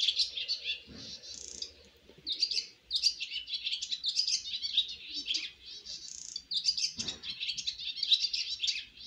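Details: Young swallows on their first flight from the nest twitter continuously in high, rapid chirps and warbles, nearly unbroken throughout, with a couple of soft low thumps in the background.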